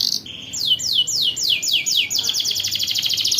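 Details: Canary performing a long 'ngerol' rolling song for teaching young birds: a high note, a lower note, then about seven slow sliding downward whistles that speed into a dense, even, high trill.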